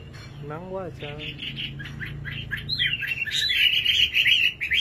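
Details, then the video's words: A person speaks briefly, then a nightingale begins singing, building into a fast, buzzy, tumbling warble of high notes that grows louder toward the end. "Singing nightingale. amazing bird song"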